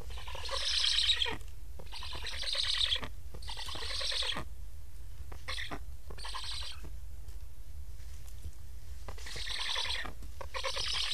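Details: Hungry Black stork chicks in Estonia plead for food as their parents, bothered by fitted transmitters, come back yet fly off unfed; rasping, harmonic bursts about a second long repeat in bouts with short gaps.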